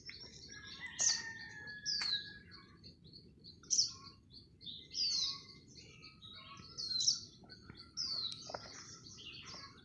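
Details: Red-whiskered Bulbuls in Thailand, a caged decoy bird and a wild bird flying nearby, giving bright, whistled chirps and short warbled phrases, high-pitched, roughly every second or two, over a steady low background hum.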